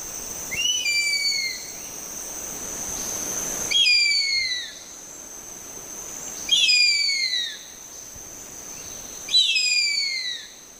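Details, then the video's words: Harpy eagle giving four high, thin, wailing whistles that slide downward, about every three seconds, over a steady high-pitched insect drone. "Harpy Eagle Calls"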